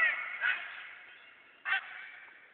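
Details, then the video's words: Wild bird calling on the Kentucky River: two short, harsh, honking notes about a second apart, each rising out of a steady hiss of background noise. "bird calling on the kentucky river"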